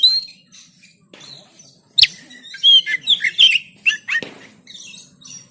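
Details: Oriental magpie-robin in Banten, Android phone recording for training birds to sing: sparse faint notes, then a cluster of sharp whistles and chirps after two seconds, over low background hum.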